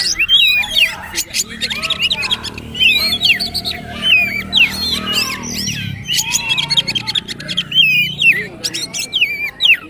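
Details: Magpie-robin, known locally as kacer or poci, singing the trotol style in a training recording: loud, varied whistled and warbled phrases with rapid rising and falling notes, some harsh squawks, and low background hum.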